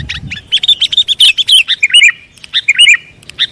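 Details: Sooty-headed bulbul trapping lure: a quick string of bright chirps flows into two or three looping whistled phrases, loud and close.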